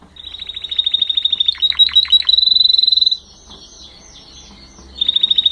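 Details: Canary singing: a high, rapid trill of repeated notes, then a burst of downward-sweeping notes and a fast even rattle, a short pause, and the high trill again. A faint low hum runs underneath.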